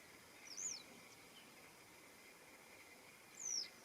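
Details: A western yellow wagtail calls in the morning, recorded 21.06.2026: two thin, high, downslurred 'tsweep' notes about three seconds apart over soft background hiss.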